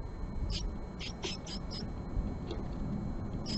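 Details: Japanese tit at a nest box on a March 20, 2022 morning, a female visiting the male's box: short high thin notes, several in quick succession over the first two seconds and then scattered, above low steady background rumble.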